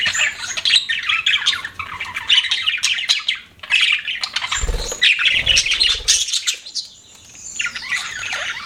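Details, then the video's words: Pet budgerigars chirping and chattering in dense overlapping warbles and squawky notes, with a brief low thump near the middle and a short quieter pause toward the end. "BUDGIES CHIRPING SOUND"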